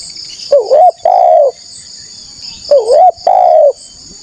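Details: Wild-dove lure of a spotted dove: two phrases, each a wobbling rise-and-fall note followed by a sustained coo that drops slightly at the end. A persistent high-pitched hum runs beneath.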